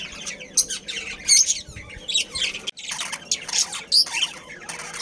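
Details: Captive budgerigars in a breeding colony, a breeding pair and family, giving dense, scratchy, high chirps and squawks in overlapping bursts, with brief louder shrill notes scattered through and a short pause midway.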